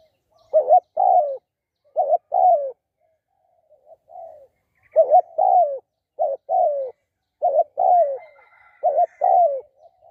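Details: Cooing spotted dove used in decoy trapping: rhythmic two-part phrases, a short stuttered note then a longer downward coo, repeated about every second in runs, with faint soft coos between runs.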